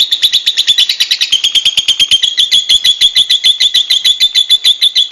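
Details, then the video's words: Lovebird in the wild: a loud, continuous run of rapid, shrill, high chattering notes, about two to three per second, steady and unbroken throughout. "SUARA BURUNG LOVEBIRD ALAM BEBAS"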